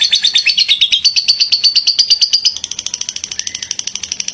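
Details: High, rapid chattering trill from a lovebird singing ngekek, meant for tutoring other birds; the rattling notes rise a little in pitch, then continue slightly softer and thinner toward the end.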